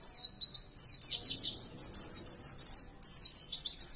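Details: Caged white-eye, described as making a strange sound, pours out a dense, continuous high twitter of quick downward-slurred notes, several per second, with only brief breaks throughout.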